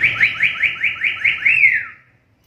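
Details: Rapid run of about eight rising whistled sweeps ending in a long downward slur, from a black-capped lory whose call is described as rare among lories and ideal for tutoring songbirds.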